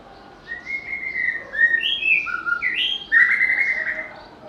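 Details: White-rumped shama, a bird prized by bird keepers for its melodious, varied voice, singing a run of clear whistled phrases, some level and some rising in steps, growing louder toward the end over a quiet background.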